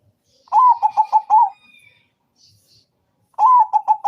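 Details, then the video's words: Zebra dove calling in the morning, a quick phrase of about five mellow rolling coos, a pause of nearly two seconds, then the same phrase starting again, in a quiet setting. "Pancingan suara burung perkutut gacor | zebra dove still calling every morning"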